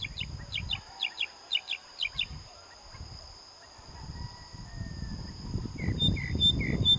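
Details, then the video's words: A Common nightingale sings in an open field behind a house in a village, a quick run of repeated, paired high notes, then falls quiet under low rumbling wind before brief chirps return; a steady high hum continues throughout. "Ruiseñor cantando"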